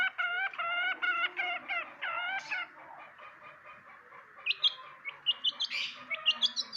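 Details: Long-tailed shrike, a kept bird, opening with a run of harsh, buzzy, evenly repeated notes with strong harmonics, then after a pause a mix of high, squeaky chirps and varied chattering phrases.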